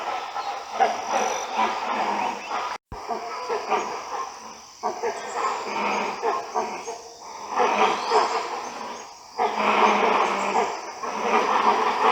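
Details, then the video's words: A flock of great hornbills in the Western Ghats of India communicate with loud, hoarse, barking roars in rough bursts of a few seconds with short pauses, over a thin, steady insect hiss. "How greater hornbill communicate | voice modulations or sound of hornbill"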